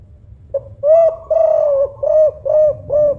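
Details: Spotted dove of Songgo Ratu 'kuk 5' type, singing actively with a big voice to lure other doves: a soft pickup note then a sequence of deep, slightly wavering coos, the second long, the rest short and evenly spaced.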